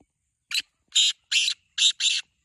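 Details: Close black francolin call in near silence: a short harsh note followed by four loud, grating, buzzy bursts in an uneven rhythm.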